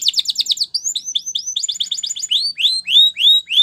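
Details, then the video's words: Training song of a canary, Spanish Timbrado style, clear and unaccompanied: quick rattling trill of repeated notes, then a series of bright upslurred whistles that slow and lengthen toward the end. "Unexpectedly, The Sound Of This Canary Attracted Many Canaries To Song"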